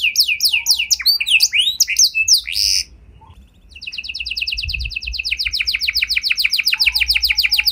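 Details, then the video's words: Singing canary used to prompt other canaries to answer: varied quick chirps, a short pause with a low thump, then a long very fast rattling trill of repeated notes. "Kenari Gacor Lagu Istimewa! Langsung Nyaut Kenari Mana Saja Dengan Suara Burung Kenari Ini"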